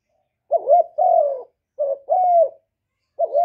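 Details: A spotted dove gives low, soft coos in linked pairs: a short hooting note, then a longer one that slides down. These are cooing and calling notes recorded clean, with no other sounds.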